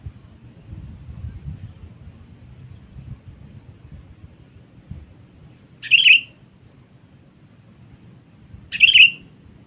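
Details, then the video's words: Sooty-headed bulbul, used as a lure to summon rivals, gives two brief, sharp chirruped calls about three seconds apart. Each is a quick, slightly trilled note, and quiet low rumbling fills the gaps. "Pikat Kutilang Cengkram Memanggil Musuh Terkuat Sepanjang Masa"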